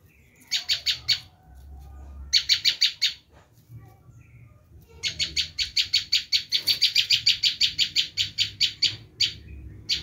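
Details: Bar-winged prinia in screaming call, used to attract wild prinias: loud, harsh chattering notes in quick series, one short run early, then a long even burst of about twenty rasping notes, followed by a few scattered ones.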